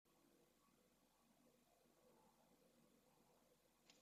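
Near-silent indoor hiss with one brief faint click close to the end.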